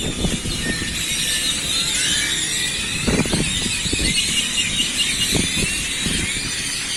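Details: Flock of grackles gathered in a town square in Celestun on the Mexican coast, a dense wash of overlapping high squeaky, whistled and rasping calls filling the air, with occasional low knocks and a steady background roar.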